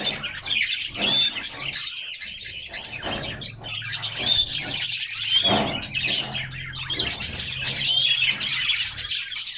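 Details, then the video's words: Caged canaries singing while hopping about, recorded by a fixed camera within the cage in summer; bursts of high whistled trills and chirps come in waves separated by brief quieter gaps. "Canaries Singing and Playing in Their Cage"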